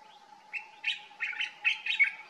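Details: Pycnonotus barbatus, the common bulbul, in Morocco in summer, singing at daybreak: a lively, warbling phrase of about five quick chirps in two-note groups, clear and rising, with a constant faint hum underneath.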